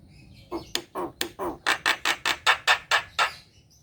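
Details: A lively Javan myna, its song used to draw out silent kept birds, gives a series of about twelve harsh, rasping notes that quicken and grow louder before stopping.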